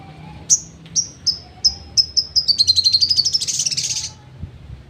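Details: Sogon singing in the 'trotol' style, used as training material for songbirds: a series of high, clear whistled notes roughly every third of a second that speed up into a fast, buzzy rattling trill before fading.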